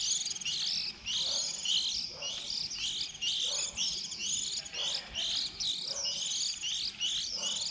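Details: Juvenile white-eyes early in the season, 2020, around the time young leave the nest in April, used as trap bait: steady, shrill twittering of slurred high notes, almost continuous, with a brief dip near the first second.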